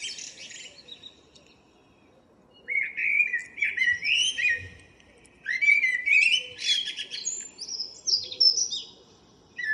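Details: Common blackbird, morning song recorded 02/04/2013. After a quiet start, two long phrases of rising fluty whistles tumble into high, jumbled twittering. A soft background murmur is present.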